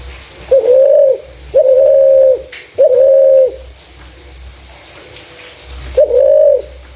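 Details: Spotted dove, a clear caller used to attract other doves: three low, level coos in a row, a quiet gap, then one more hollow note.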